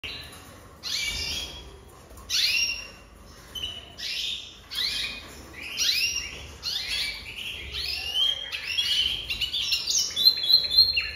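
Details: Jaspe canary singing a varied song of bright, high phrases: rapid upward-sweeping whistles and chirps in bursts every second or so, growing denser and more trilled toward the end.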